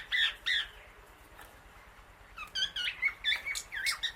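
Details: Female Indian ringneck parakeet outdoors on grass with many birds around; two loud harsh squawks, a quiet stretch, then a rapid jumble of shrill chattering calls.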